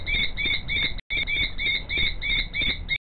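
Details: Female common kestrel calling from the background as the male wriggles before her, shaping a nest scrape; a fast, shrill run of ringing notes, about three per second, with a short break near the end and faint low rumble underneath.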